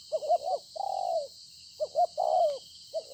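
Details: Newly trapped wild spotted dove, recorded 26 September 2020, repeating its coo: bouncy short notes then a long, buzzy, falling coo, two full phrases and the start of a third, over a steady hiss.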